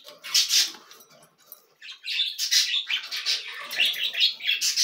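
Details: Fed cockatiel chicks produce hissing, breathy begging squawks after a short lull, in rapid overlapping bursts with faint thin tones riding on top.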